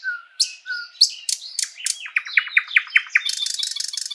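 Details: Luscinia luscinia singing in a spring forest, loud sweeping whip notes followed by a quickening row of clear repeated pipes and a closing dry, buzzing rattle.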